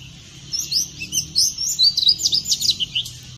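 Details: An Oriental magpie-robin sings in the morning in Thailand, a quick, varied run of clear whistles and sweet, slurred notes, about a dozen phrases in three seconds, over a faint low hum.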